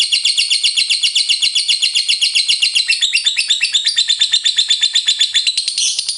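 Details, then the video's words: Lovebird in long ngekek chattering: rapid, piercing chirps repeat about four times a second, a harsher buzzy stretch around the middle, then a bright rising note near the end. "LOVEBIRD FULL NGEKEK"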